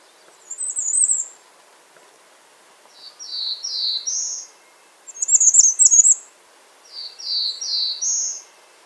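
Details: Bay-breasted warbler calling: very high, thin rapid trills alternate with lower series of three or four slurred, rising notes, each phrase lasting about a second, separated by short pauses.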